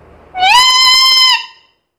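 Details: One drawn-out, brassy, voice-like note of about a second from a chatty black-capped lory able to talk, rising at the onset and held level before fading.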